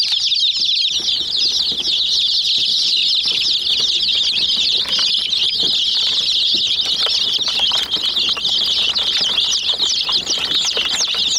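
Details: Domestic hen chicks crowd and peck at a miniature toy jeep; a steady wall of shrill overlapping peeps runs throughout, with a brief quieter start and scattered knocks of beaks on plastic.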